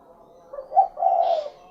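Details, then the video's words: Spotted dove (derkuku) giving one low, mellow cooing phrase: a soft short note, a brief stronger coo, then a drawn-out rolling coo, with quiet surroundings. "SUARA BURUNG DERKUKU / CUKURUKUK KUK GERUK"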